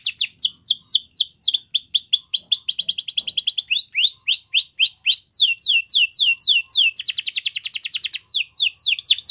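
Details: Training song of a Belgian canary for young birds to learn, a continuous stream of repeated descending whistled syllables broken by quick dense trilled rolls, each tour lasting about a second before the next begins.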